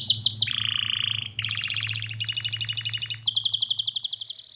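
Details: Canary training song: a quick descending whistle, a lower rolling trill, then successive rapid trills each stepping higher, over a low steady hum.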